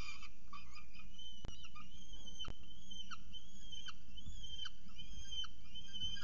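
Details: Peregrine falcons at a nest in Orange, first feeding of the day at 6:36 am on 21 October 2018. A series of short upward-curving whistled notes repeats about once a second, with two sharp clicks and steady low rumble.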